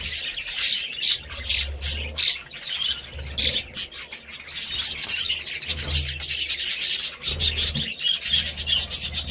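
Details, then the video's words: Sharp, rasping budgie squawks and chirps burst out in quick irregular runs, with short gaps and a faint low hum in places. "Budgie Sounds"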